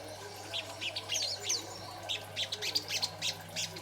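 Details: A young sogon in greenish juvenile plumage, chattering continuously, used as master song to lure and train other birds into singing; rapid bursts of high, sharp chirps and squeaky notes, repeated several times a second, over a steady low hum.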